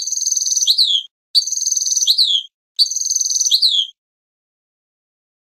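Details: One named note of a European goldfinch, repeated three times: a bright, high, rapidly pulsed trill that ends in a downward-sliding twang, each about a second long and separated by short silences.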